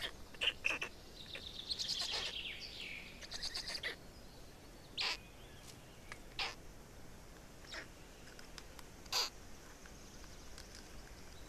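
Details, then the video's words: Black stork chicks in Estonia on 18 May 2019, when the fourth chick appeared: a drawn-out rasping, wheezy outburst early on, then single short hoarse calls every second or two, fading into quiet background. "Estonian Black Storks - Fourth chick"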